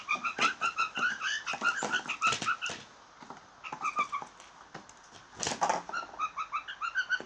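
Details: Blue jays making funny sounds: a rapid series of short, nasal, harmonic notes that repeat in quick bursts, with dry clicks and taps between them and a brief pause midway.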